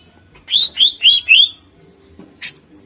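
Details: Greater green leafbird song for luring contest birds: four clear, rising slurred whistles delivered evenly about every quarter second, followed by a short high burst of sound.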